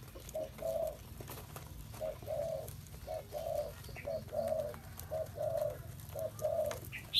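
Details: Repeated low cooing of a spotted dove, short coo followed by a longer coo, pattern repeated steadily about once per second, with faint higher chirps from other birds near the end.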